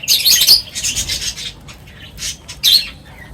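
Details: Feeding birds make loud harsh high chirps in short bursts, separated by softer twittering and brief quiet gaps.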